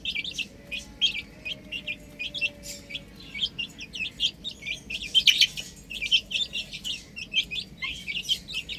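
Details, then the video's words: Chicks on a roof chirping continuously, sharp high peeps in quick uneven runs, several callers overlapping, with a brief louder cluster midway. "Adorable Chicks Chirping Sounds"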